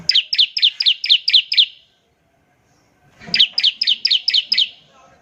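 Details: Bar-winged prinia singing in the ngebren trilling style, used as a lure to get other prinias singing quickly. Two bursts of seven sharp, high, evenly spaced chipping notes, separated by about a second and a half of silence.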